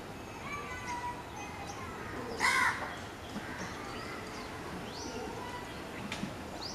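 Black drongo giving one short, harsh, nasal call midway, over steady background hiss, with faint thin notes from other birds.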